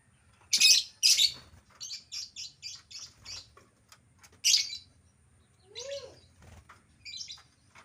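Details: Albino lovebird with two loud shrill squeals, then a run of even short chirps, another squeal and a few lower rasping notes.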